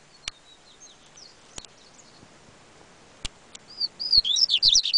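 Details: Yellow-bellied seedeater singing: scattered faint high thin notes build into a loud, rapid, high-pitched twittering phrase of quick rising and falling slurs near the end, with several sharp isolated clicks in the background.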